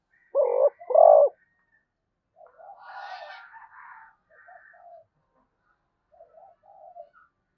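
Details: Zebra dove, called Malaysian dove, cooing: two loud, low hollow notes in quick succession, then softer, broken, burry coos trailing off over several seconds, with a faint higher note near the end.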